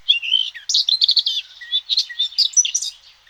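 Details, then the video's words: Eurasian Blackcap in song, a bird of European hedgerows and woodland edges: a fast, continuous warble of rich, fluted notes and brief chattering trills, steady and close. "Ce chant est celui de la fauvette à tête noire."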